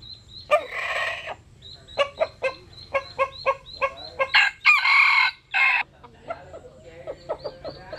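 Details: Jap Cuban bantam cock basking in the sun: many short clucks and chirps repeated roughly every half second, interrupted by a harsh crow of three strained bursts midway, then softer clucking again.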